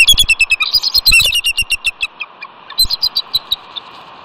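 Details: Female and male bald eagles calling back and forth at a nest with eggs on Catalina Island, California, in February 2018. Dense overlapping high chittering gives way to a steady repeated piping run, then a shorter second series.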